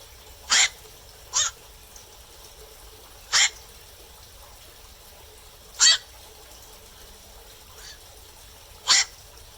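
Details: Black-crowned night heron calling at night: harsh, short broadband croaks repeated irregularly, six calls over ten seconds, some louder and some fainter, against a quiet background.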